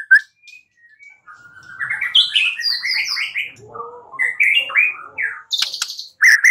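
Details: White-rumped shama song as a lure to make another bird respond and sing: a flowing sequence of slurred whistles climbing and falling, with buzzy high notes near the end.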